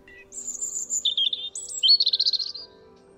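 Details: A European robin in the UK sings a short, delicate phrase: a thin drawn-out whistle, then quick wobbling notes that drop lower and rise again into a rapid trill.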